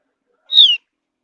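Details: Quiet surroundings, then a lone Javan grey-throated white-eye whistle: short, loud and gliding down. The mountain forest bird's whistle is said to encourage other birds to answer with song.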